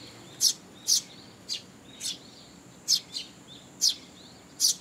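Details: Parent and young sparrows at a Tenmangu shrine on 2 July 2022, the young begging for food: bright, high chirps repeated roughly twice a second, with faint twitters between them.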